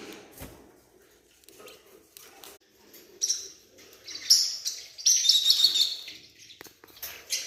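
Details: Newborn forpus parrotlet chick: high, thin chirps and peeps come in short clustered bursts in the second half, with soft rustling and faint handling noises indoors.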